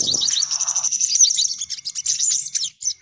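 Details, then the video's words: Excited sunbird calling for luring sunbirds: fast high twittering trills that break into scattered sharp chips, with a short low rustle at the start. "Suara Pikat Burung Kolibri Paling Manjur || Sogok Ontong Ribut"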